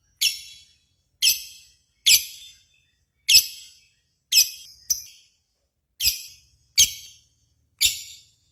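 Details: Lovebird sounds from a singing-contest simulation used as a lure to set other lovebirds singing: nine sharp, high chirps, each with an echoing fading tail, spaced irregularly about one second apart.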